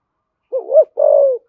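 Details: Spotted dove of the thổ sấm type, gáy gọi calling style: a low wavering two-part coo rising into a brief peak, then a longer, slightly buzzy falling note after a short pause.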